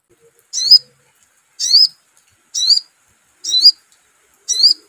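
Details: Sogon calling in a lure recording: five high, slurred, rising notes, one roughly each second, with clean silence between.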